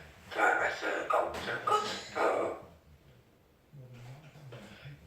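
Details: Amazon parrot credited with 40 phrases and singing says a quick human-sounding phrase in three syllable bursts, then falls quiet while a low hum and faint voice follow.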